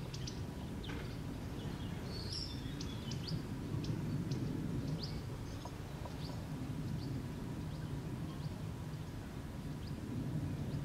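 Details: Common swifts active in the morning around eave nest boxes in Beek, 7 July 2012, two boxes occupied, one with three young about to fledge; faint, high buzzy screams come in short bursts over steady low rumbling background noise.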